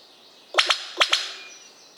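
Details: Black sicklebill deep in forest in West Papua, Indonesia, in 2022: two quick pairs of sharp, explosive, cap-gun-like snapping notes about half a second apart, over steady high insect hiss.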